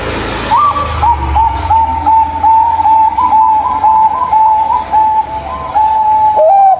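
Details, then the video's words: Singing local zebra dove, used to lure a non-singing zebra dove: after a brief noisy start, a steady chain of soft, evenly spaced cooing notes with a low hum underneath, ending in a dipping coo. "Suara Burung Perkutut Lokal Ajaib, Ampuh untuk Pancingan Perkutut Tidak Mau Bunyi"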